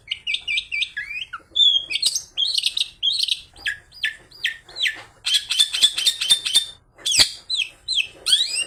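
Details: Mimicry-laden long-tailed shrike song, featuring fighting-sparrow notes and used to provoke other shrikes into singing: varied, chattering high phrases, a dense buzzy trill in the middle, and scattered sharp, piercing notes.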